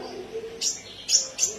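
Common iora giving three sharp, high chirping notes in quick succession, about half a second apart, over a faint low murmur.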